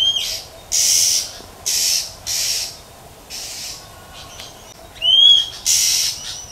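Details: Wild female Oriental magpie-robin calling to stimulate males: a run of harsh, hissing chẹp bursts, five or six of them, then a bright rising whistle and one final rasp.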